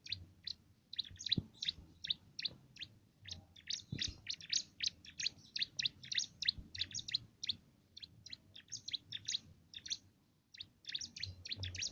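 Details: Bar-winged prinia giving its canary-like song, valued as filler material for competition birds: dense bursts of high, rapid chirps, briefly pausing near the end, with low background noise.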